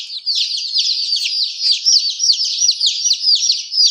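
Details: Baby chickens cheeping continuously, with shrill, falling peeps from many chicks blending into an unbroken, busy chatter.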